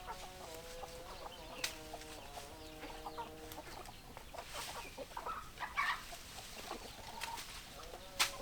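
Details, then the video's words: Chickens clucking: a run of held, wavering tonal croons and clucks for the first few seconds, then sparser clucks and scattered clicks and knocks. "Chicken Sounds Noises Hens Clucking"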